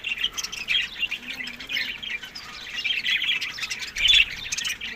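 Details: Budgerigars feeding on summer food in Larkana, Sindh: a steady stream of soft warbling chirps and squeaky notes, with a louder squawk near the end.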